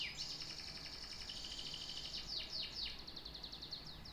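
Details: A canary sings a dense, buzzy high trill that breaks into a string of rapid downward-flicked notes.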